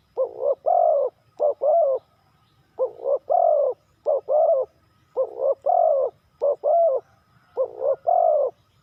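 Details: Phrases of spotted dove coos in the Thai three-kuk hanging style: clusters of short rough notes ending in a longer husky coo, repeated with brief gaps.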